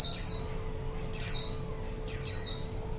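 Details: White-eye, called pleci, recorded as a lure for wild birds: three high, sharp descending notes roughly a second apart, each sweeping downward and trailing off, over a faint steady low hum.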